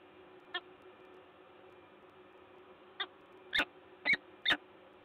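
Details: A pair of peregrine falcons at Lotos in Gdańsk, Poland, in October 2021. Harsh, rasping notes: one lone call, a pause, then four more, the last three loudest and closely spaced.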